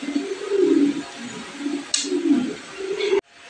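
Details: Black Show King pigeons, an imported male and female pair, coo in deep, rumbling phrases that swell and fade. A short sharp click cuts in midway, and the recording ends abruptly.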